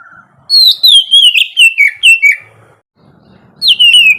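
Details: Morning ngeplong song of an oriental magpie-robin, used to coax quiet birds to sing: eight rapid whistled notes stepping down in pitch, then a pause and a fresh bright phrase at the end.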